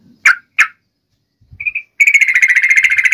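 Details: Sooty-headed bulbul (trucuk), used as a lure to call a rival into answering: three short burred notes, a brief clear whistle, then a fast rattling chatter of repeated notes in a high register.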